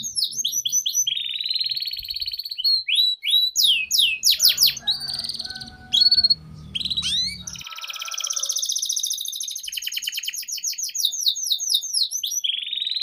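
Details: Long canary master song for young birds: changing tours of rapid repeated notes, a steady whistled phrase, loud sweeping calls and a fast rattling trill. Brief low noise occurs midway.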